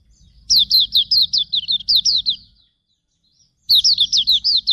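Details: Hume's white-eye song for training birds: a phrase of around ten quick, high, falling chirps, then a pause of about a second, then another twittering phrase begins; faint low hum beneath.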